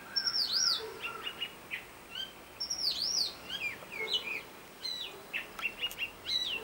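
Robin singing a varied run of thin, high phrases: rising and falling whistles, quick slurs and short trills, each phrase different and spaced by brief pauses.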